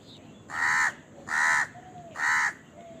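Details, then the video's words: Crow calling while eating, giving three loud, harsh, hoarse caws, each lasting about half a second and spaced roughly a second apart, over a low background hum. "Crow Bird Eating Scenes and Crowing Sound"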